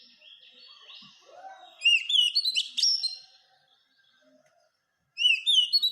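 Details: Oriental magpie-robin, known as kacer, in masteran singing: soft whistles leading into a loud run of quick up-slurred whistled notes and chirps, a pause, then the phrase starting again.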